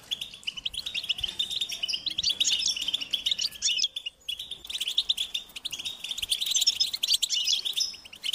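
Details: High-pitched begging calls of European goldfinch chicks wanting food from their parents, a busy, continuous twittering chorus with a brief lull just after four seconds.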